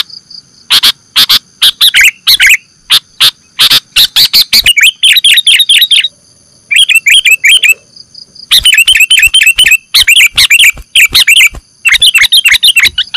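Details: Sooty-headed bulbul lure for catching birds: long sequence of rapid harsh chack notes and excited bubbly chattering in dense bursts with short gaps, over a steady high-pitched background tone.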